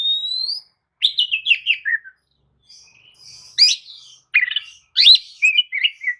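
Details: Oriental magpie-robin lure song for waking up a sluggish bird: a rising pure whistle, a descending buzzy trill, then loud sharp chips and scratchy warbled phrases.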